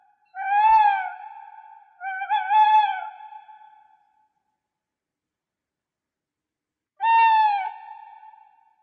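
An owl gives three drawn-out, mid-pitched wailing calls, each about a second long and slightly falling. The first two come close together, then a pause before the third.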